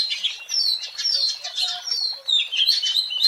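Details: Oriental magpie-robin in the wild singing vigorously, meant for luring birds: fast, jumbled high whistles and chirps in near-continuous phrases with short breaks.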